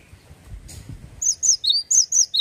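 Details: Male cinereous tit singing in ngeplonk style. After a second of faint background noise, it starts loud paired whistles, high then lower and slurred, repeated briskly.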